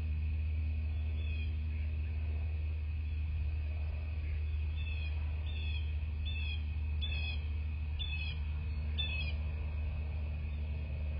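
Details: Bald eagle at a nest in southwest Florida, captured by nest camera on the morning of 7 March 2024; a run of short, high, piping chirps, each slightly falling, about six in quick succession over four seconds, over a steady low electrical hum.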